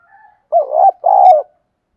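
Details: Spotted dove calling to lure other doves, preceded by faint distant cooing, then a loud double coo with a rising wavering first note and a longer steady second note.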